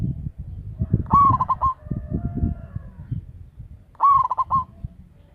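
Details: Local zebra dove used as a lure. Two rolling coos, each a rising note into quick pulses, with a faint softer call after the first and a busy low rumble and knocking in the background.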